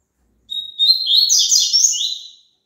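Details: Double-collared seedeater singing, played so a caged bird will sing along: a faint high note, then a lively burst of sharp twittering and buzzy trilled phrases running almost two seconds, with no other sounds behind it.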